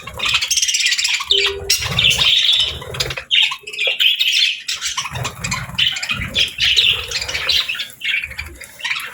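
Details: Cheerful pet budgerigars chirping nonstop, a dense chatter of high scratchy warbles and short squawks from several birds, with a low hum pulsing in the background.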